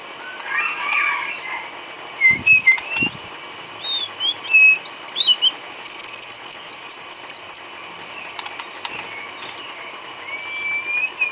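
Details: White-rumped shama filler song used for training cage birds: scattered clear, high whistled notes and short upslurs, then a quick run of bright repeated chirps around the middle, with a faint rising whistle at the end.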